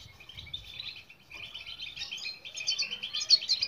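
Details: European goldfinch singing, recorded to coax silent birds into song: quiet twittering that builds into a dense, rapid run of high tinkling and trilled notes, louder toward the end.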